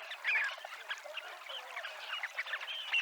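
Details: Dunlin (Calidris alpina) at the seafront promenade, Abruñeiras, Noia, in the Ría de Noia; a quieter mass of overlapping short trilled and rising notes from several birds, a few calls standing out.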